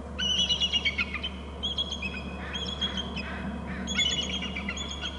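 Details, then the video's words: Two bald eagles calling in alert at a Hornby Island nest as the male flies in from the left: quick runs of piercing, squeaky piping notes, several strung series with short pauses, against a constant low-pitched hum. "both are alerting and dad arrives fromj the left and both are alerting"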